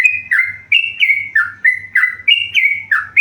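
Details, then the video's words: Tame yellow-vented bulbul singing vigorously: a quick series of clear whistled notes that step up and down, each slurring downward, about eight notes in three seconds, over a faint low hum. "burung trucukan gacor jinak"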